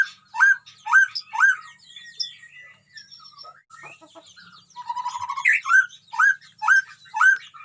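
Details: White-rumped shama in a colony cage: loud hooked whistles repeated about twice a second, a softer stretch of varied twittering, then the rhythmic hooked notes again.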